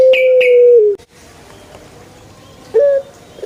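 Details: Male collared dove (puter) calling to prompt other doves to join in: a steady, tonal coo held nearly a second with a slight falling end, a brief pause, then a short rising coo.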